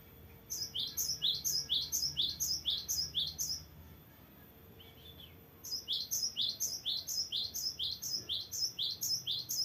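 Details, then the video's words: Cinereous tit pouring out a long, varied rolling song: two bursts of quick paired high whistled notes, about twelve repeats each, separated by a short pause with a soft lower note; steady faint hum behind. "GELATIK BATU GACOR NGEROLL PANJANG BERVARIASI"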